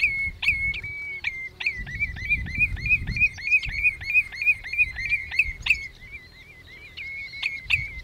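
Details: Common redshank (Tringa totanus) calling at Hüde Ochsenmoor on 27 May 2018 at 07:10, a fast, steady string of high piping notes, about three a second, over a low rumble of wind.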